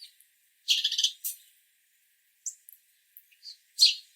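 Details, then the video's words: House sparrows visiting a backyard give a few scattered, bright chirps: a burst of two or three quick notes early on, then brief isolated chips and one louder chirp near the end, with silence between. "What Does a Sparrow Sound Like? - House Sparrow Sounds and Calls"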